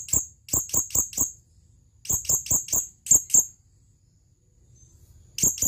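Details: Male blue-crowned hanging parrot calling to a female, giving rapid runs of four to five sharp, very high, squeaky chips in quick bursts separated by short pauses.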